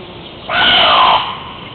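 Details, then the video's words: Hawaiian crow (Corvus hawaiiensis), a species extinct in the wild: one loud, harsh, drawn-out cawing call lasting about seven tenths of a second, hoarse with a nasal tone, over faint background hiss. "Hawaiian Crow (Corvus hawaiiensis) Call"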